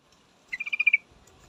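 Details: Female yellow-vented bulbul calling to a male: a single short burst of about eight rapid, evenly spaced chattering notes, bright and fairly high, lasting half a second against a quiet background.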